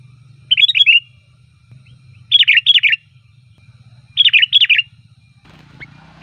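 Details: Sooty-headed bulbul lure song for calling bulbuls: three loud bubbling phrases of four quick warbled notes, roughly every two seconds, over a faint low hum, ending with a click.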